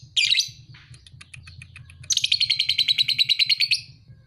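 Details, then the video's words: Young lovebird about two and a half months old, a 'paud' fighter bird, opening with a harsh squeak, then a fast, steady run of rasping chattered notes, about fifteen in under two seconds, over a low background hum. "Lovebird paud 2,5bulan Fighter abiz!"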